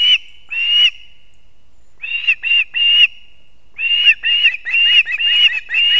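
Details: Osprey calling at a Latvian nest while the male brings two fish for the chicks, 6:40 am, 3 September 2024; piercing whistled notes in pairs and short series, separated by silences.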